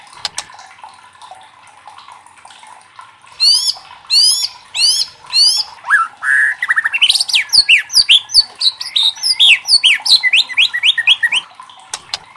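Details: Loud White-rumped shama song used to trigger singing in other shamas; after a quiet start, sharp downslurred high notes, then a long rapid cascade of repeated chattering whistles.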